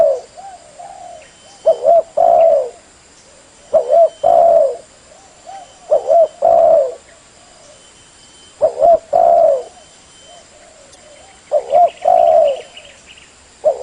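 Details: Spotted dove (tekukur) call used as a lure for catching birds: low hoarse cooing phrases repeated in bursts of two or three about every two seconds, with sharp knocking thuds between phrases and a faint steady high tone throughout.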